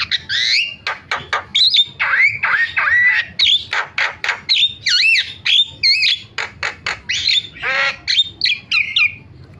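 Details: Starling call sequence used as a lure to get silent starlings calling: loud, evenly spaced harsh notes alternating with slurred whistles, wavering warbled phrases and one deep downward-curving rasp, all closely packed without pause.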